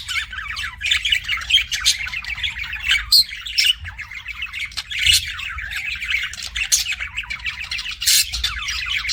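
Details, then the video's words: Budgerigars kept as pets give a steady stream of harsh, raspy chattering mixed with brief squawks and thin whistles, several birds overlapping without break over a faint low background rumble. "BUDGIE CHIRPING SOUNDS"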